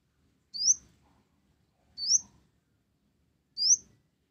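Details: Kolibri ninja (olive-backed sunbird), blorok type, with sparrow-style isian gereja. Three thin, upslurred high chips, spaced roughly one and a half seconds apart, in otherwise near silence.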